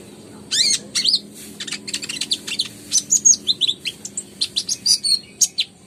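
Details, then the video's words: Lively kolibri ninja song of the kind played to spur reluctant birds into singing. A rapid falling trill opens into fast, very high twitters and clipped whistles, repeated steadily. "PANCINGAN KONIN GACOR, COCOK BUAT BURUNG SUSAH BUNYI"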